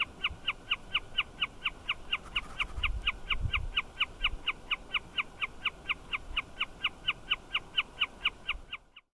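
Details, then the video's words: A Wilson's snipe calls continuously from a fencepost off Number 81 Rd, repeating a sharp, ringing note about three times a second in a steady, unbroken series, with a faint low rumble beneath. "Wilson's Snipe calling"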